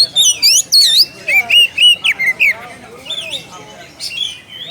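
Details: Calling a rival, an Oriental magpie-robin gives bold looping upslurs followed by steady mid-pitched whistles, then trails off into softer, scattered notes.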